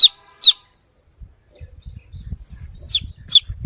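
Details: Domestic chick searching for its mother hen, giving a few sharp, high, falling peeps at the start and end, with soft low rustling and thumping between them.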